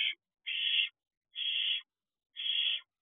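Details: Nestling barn owls on the perch of an owl box late on a June night: evenly spaced raspy hisses, each about half a second long, repeated roughly once a second.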